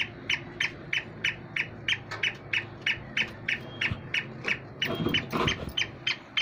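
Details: Black francolin, known locally as kala teetar, giving a rapid run of clipped, scratchy high notes about three per second, growing louder and more jumbled near the end with some thumps and background clatter.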